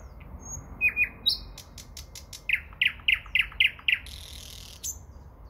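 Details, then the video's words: Common nightingale in the Moscow region, early May: a couple of thin whistles and sharp clicks lead into a string of six loud, repeated chopping notes, closing with a buzzy hiss and a high note. "Пение Соловья. Подмосковье, начало мая."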